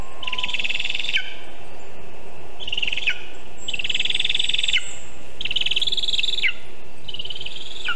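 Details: Lesser spotted eagle at its nest, about 20 meters up a birch in Zemgale, on the morning of 19 August 2023, as a vole is delivered. Five high, strained, drawn-out yelping calls, each about a second long and irregularly spaced, sound over a steady background hiss.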